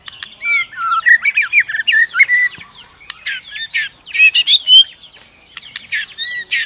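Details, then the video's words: Warbled, varied whistled phrases of a white-rumped shama, provoked by a female's continuous clicking and tail-flicking into competitive song, studded with sharp clicks. "Chòe lửa kích lửa DÌU BỔI Hót ,tạch liên tục đập đuôi kích chòe lửa lên lửa hót đấu"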